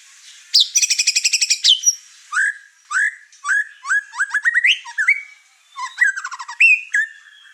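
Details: White-rumped shama in an over-emotional state showing off its repertoire while stirring up other birds kept in the same house. A buzzy rapid burst is followed by a string of separate rising whistled notes and short chattering phrases.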